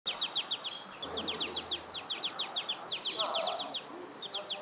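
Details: Sparrows chirping during mating, in rapid, overlapping bursts of sharp high notes, several per second, with a low muffled sound briefly underneath.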